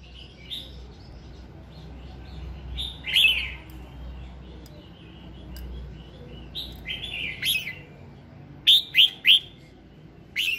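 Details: Red-whiskered bulbul morning song, used to get other birds singing: soft warbling notes building to sharp whistled slurs, ending with a quick run of three crisp chirps.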